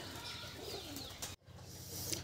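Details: Pigeon chicks give soft, wheezy begging calls while being hand-fed blended broiler feed mixed with water from a syringe.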